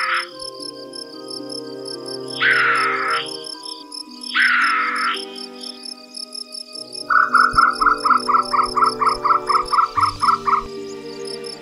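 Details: A Sri Lanka frogmouth at dusk in the Sahyadri forest of the Western Ghats. Two harsh, grating rasps are followed by the male's fast run of about a dozen clipped notes like galloping hooves, with crickets trilling steadily and soft music underneath.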